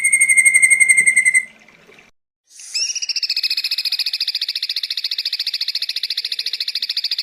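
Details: Ashy drongo on a long-duration tutoring recording: a clear steady whistle, a pause, then a long run of fast, buzzy repeated notes at an even pitch.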